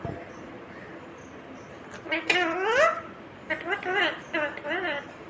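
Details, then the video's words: Indian ringneck parakeet speaking "mummy papa": one long arching, harmonic, speech-like phrase followed by a series of quicker wavering syllables. "Natural Indian Ringneck Parrot Sound ❤️ talking Parrot mummy papa"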